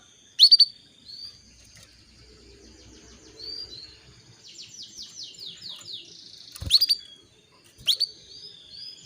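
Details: Calling female canary, played as a lure to stimulate the male into breeding condition: bright, steeply falling chirps at the start and near the end, with a quick run of slurred, descending whistled notes in between.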